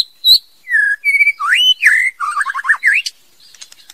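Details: Female white-rumped shama singing a standard song: clear whistled notes and slurred phrases, some rising, with a quick wavering trill near the end and soft clicks trailing off.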